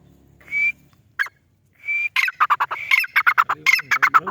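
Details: White partridge (white teetar) calling: two separate long whistled notes, then the full call builds into rapid phrases of a whistle followed by a chattering run of harsh notes, repeated without pause.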